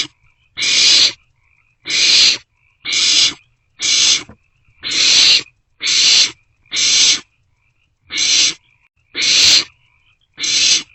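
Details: Owlets of the barn owl in an owl box at night, 27 March 2024, sharing a meal; ten raspy hissing screeches of about half a second, repeated nearly once a second in an irregular rhythm.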